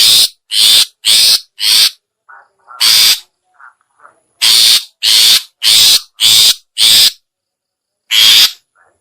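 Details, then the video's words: Long-tailed shrike lure call, locally cendet or pentet, used to attract other shrikes: loud harsh rasping bursts, each about half a second, in quick runs of four or five with short pauses and a few faint low notes between. "suara pikat burung cendet/pentet/toet toet"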